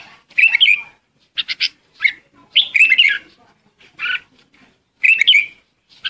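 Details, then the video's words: A red-whiskered bulbul calls to its flock with bright, chirpy phrases of three or four liquid notes, rising and falling, repeated every second or so with brief pauses. "Chim chào mào gọi đàn"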